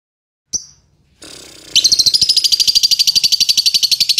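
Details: Champion contest lovebird in latah style: a brief chirp and a pause, then a rapid run of high chattering notes, about three per second, forming an unbroken trill to the end.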